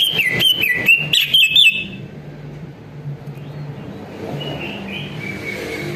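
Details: Greater green leafbird song played as a lure to make other birds answer: a short burst of clear whistled notes with quick downward slurs, then fading to quiet background hum and a few faint distant whistles.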